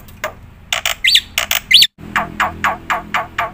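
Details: Black-winged myna singing a full song meant for training and tutoring birds: loud harsh notes, two sharp rising whistles, a brief pause, then a steady series of rasping calls about three per second over a low hum.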